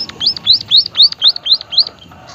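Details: An active white-headed munia, emprit haji (Lonchura maja), with an odd voice: seven loud, thin, high notes, each rising then dropping, evenly spaced at roughly four per second, then quiet.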